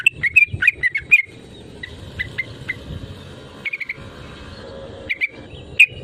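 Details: Lively yellow-vented bulbul calls meant to provoke rival birds into answering: clusters of bright, slurred chirps open the recording, then scattered single notes and small bursts after short pauses, with a steady low hum beneath.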